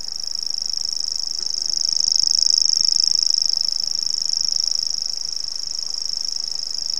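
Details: Grasshopper warbler song from North Antrim, a continuous high mechanical reel like a fishing line unwinding, swelling louder in the middle and easing off toward the end, with no other clear sounds.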